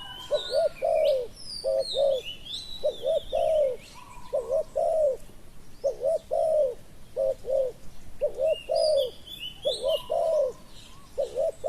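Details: Spotted dove decoy calling to draw in a wild dove said to have a small voice; about eight cooing phrases in steady succession, paired short coos ending in a drawn-out croon, light birdsong twittering above.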